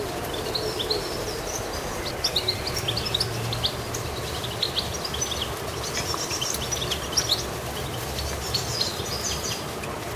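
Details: Goldfinch activity with a long run of bright, high chirps and twitters, some overlapping, scattered through the whole clip over constant hissing background noise.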